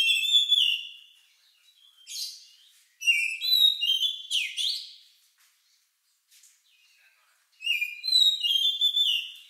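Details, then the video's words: Oriental magpie-robin (kacer) song, odd and lovebird-like, used to provoke other birds to sing: clear whistled phrases and sweeping notes in three groups split by long silences. "Suara Burung Lagu Unik Kacer Ini Cocok Untuk Pancingan"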